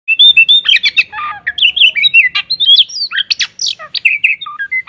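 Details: Oriental magpie-robin singing vigorously in the morning, its song full of tembakan kapas fills: a rapid, varied run of clear whistles, sharp rising and falling slurs and harsh buzzy notes, almost without pause.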